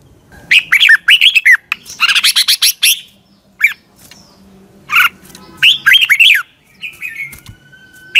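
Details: Red-whiskered bulbul in morning training song, a busy sequence of rapid warbled whistles in several dense bursts, a few isolated notes, then a final slurred phrase and a thin whistle.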